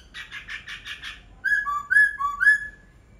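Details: Laughingthrush song opening with five buzzy, evenly spaced pulses, then a sequence of clear whistled notes alternating high and lower, about two a second.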